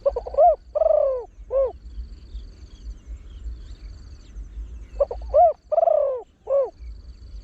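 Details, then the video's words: Spotted Dove, a trained bird with a deep voice, calls in the rapid 'khan yon 1 kuk' style used to bring in wild birds. Two matching phrases about five seconds apart, each with short stutters, an arched note, a long falling coo and a short coo. "เสียงนกเขาใหญ่ 3 (เสียงใหญ่) ขันโยน 1 กุ๊ก ขันถี่ นกป่าเข้าร่วมเร็ว"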